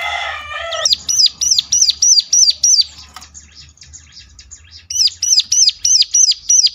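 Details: Ciblek song played as a lure to draw replies from other ciblek: after a loud harsh noise, a fast run of high, ringing chevron-shaped notes, a pause, then another even series of the same notes.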